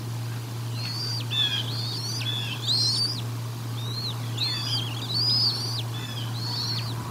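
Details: Bald eagle at the Decorah North nest, feeding time, 1 April 2022: clustered high chirping whistles in short bursts, each note rising then dropping sharply, with a steady mechanical hum underneath.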